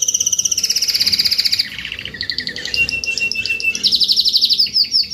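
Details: Adult Spanish Timbrado canary, Spanish-breed Belgian canary, in salsa song: continuous fast trills at shifting pitches, a bright pulsing roll, a lower buzzier stretch, then quick high rolled notes to the end.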